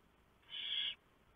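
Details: Barn owl at a nest in the early hours of 3 November 2015, the male delivering a huge mouse that the female shreds for the owlets; one harsh, hissing screech lasting about half a second over quiet background.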